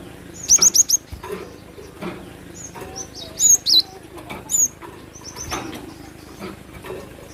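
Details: Cinereous tit, called glatik batu, singing actively: an opening quick run of four bright high notes, then a few slurred whistles and scattered faint chirps over steady background hiss.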